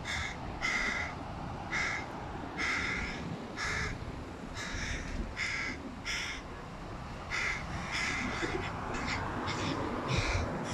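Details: A hooded crow fledgling, one of three, begs loudly from a tree beside its mother while the father feeds a sibling fish: harsh, raspy caws about once a second, some drawn out, some clipped, over a steady low rumble.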